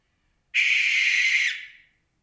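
Barn owl giving a single harsh, hissing shriek about one second long, which trails off quickly; the background is otherwise silent.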